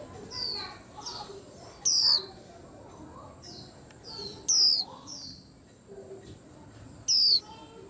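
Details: White-eyes in a cage trading high, thin, downslurred whistles, loud phrases every two to three seconds mixed with fainter chirps from other birds and soft background voices.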